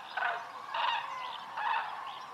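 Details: Common cranes wintering in Iberian holm-oak woodland, after migrating 3000 km, fly out in huge dawn flocks seeking acorns, giving loud, rolling trumpeted calls in three bursts with overlapping voices.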